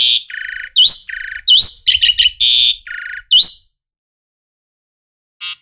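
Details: Loud jalak suren, the Asian pied starling, giving harsh buzzy notes alternating with upswept whistles in a rapid, irregular sequence. A short silence follows before one final rasping note.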